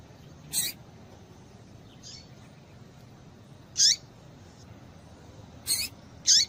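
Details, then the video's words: Irregular series of short, high chirps from a female double-collared seedeater, a call used to make males sing, with fainter softer notes in between, against low hiss. "Piado de Fêmea de Papa capim Para Esquentar Papa capim"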